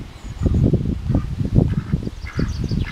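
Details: Indian Runner ducks visiting again, giving low, rough, clipped quacks in quick uneven bursts, several per second, with faint small-bird chirps high in the background.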